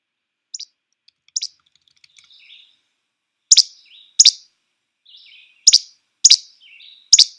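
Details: Least Flycatcher, a small flycatcher whose whole body shakes as it calls: sharp, snappy, almost one-syllable che-bek calls, high and abrupt, repeated every second or so, with faint buzzy notes between.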